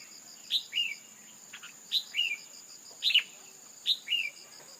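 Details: Female red-whiskered bulbul call used to stir a male into full song: short paired notes, a sharp downward note near 4k then a slurred falling note near 2.5k, repeated roughly every second, over a steady high insect hum.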